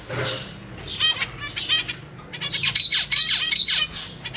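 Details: Zebra finch parents feeding their young in a large cage, three juveniles plus three fresh fledglings: rapid, dense run of bright nasal chirps from several birds, growing busier and louder toward the end, with a faint low hum.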